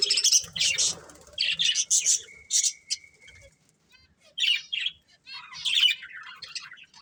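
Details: A breeding pair of budgerigars trading bursts of busy, squeaky warbling with short pauses between, plus a thin steady whistle early on and some soft rustling.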